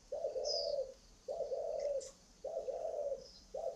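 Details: Spotted dove, large as a pigeon and praised for a warm voice, repeating steady low, throaty coos of nearly a second each at an even pace, with a few soft high chirps from other birds in the background.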